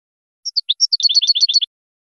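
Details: European goldfinch training song fragment: a handful of separate high chirps that quicken into a short, tight twittering run of about a second.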